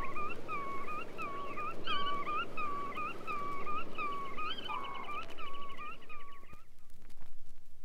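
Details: Black-tailed Godwit calling on a Soviet vinyl guide to wader voices, recorded 1961–1981: a run of nasal rising-falling notes that breaks into a fast rattling trill, then fades into hiss and a few clicks.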